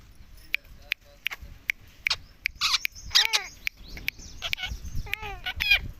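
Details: Pet Indian ringneck parakeet, a green talking parrot, said to repeat the word "mummy" nonstop; harsh, harmonic, speech-like syllables with downward-bending tones, mixed with sharp clicking taps throughout.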